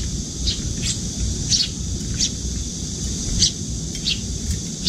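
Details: Eurasian tree sparrow juvenile following its parent and fluttering its wings to be fed at a windowsill feeder; brief high chirps at irregular intervals, about seven in five seconds, over low rumbling background.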